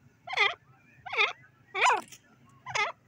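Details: Francolin (teetar) giving four harsh, ringing calls rich in overtones, each about a quarter second long and spaced unevenly over three seconds, over a faint low hum.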